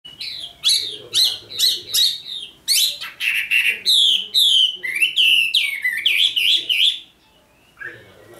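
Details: Red-whiskered bulbul, a newly selected bird, sings a rapid run of loud, slurred whistled notes, rising and falling, each phrase bursting out about twice a second, then falls quiet near the end.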